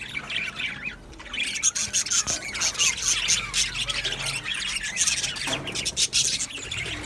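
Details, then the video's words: Male budgerigars in an aviary colony, recorded 8 December 2025, keep up a dense, busy chatter of high squeaky chirps and warbles with overlapping voices and occasional sharper squawks. "Beautiful Male Budgies Sounds | Budgies chirping sounds"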